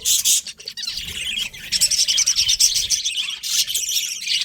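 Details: Budgies chirping in a dense, continuous warble of high, scratchy chirps and twitters, with brief louder bursts at the start and again near the end.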